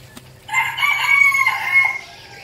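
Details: A captive red junglefowl cock used as a lure gives a single crow of about one and a half seconds, harsh and even-pitched with a fading tail, with a faint tick just before it.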